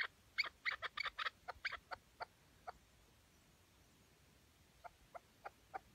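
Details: Tethered decoy chukar partridge calling at a partridge hunt in Şırnak, Turkey: a quick burst of bright, sharp clucks that thins out to scattered single notes, a pause, then four spaced notes, over quiet background hiss.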